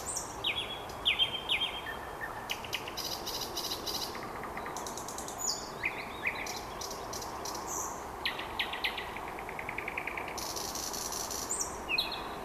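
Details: Evening song of a common nightingale at the end of May in Vyazniki: varied phrases of clear whistles, dry rattling bursts and repeated sharp notes, separated by short pauses, against a constant low rural hiss.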